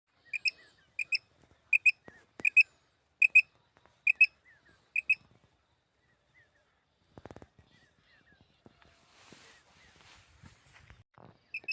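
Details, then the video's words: Common quail call, recorded for quail hunting: crisp paired high notes repeated about once per second for five seconds, with faint lower slurred notes, then scattered clicks and handling noise. "batair ki awaz batair Madi ki awaz"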